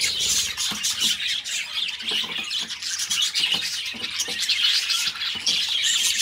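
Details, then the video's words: Constant soft high warble from two pet budgerigars, grating chirrups and ticking clicks packed closely together at an even loudness, with faint lower clicks underneath throughout. "Parrots singing beautiful birds voice beautiful budgies birds sounds"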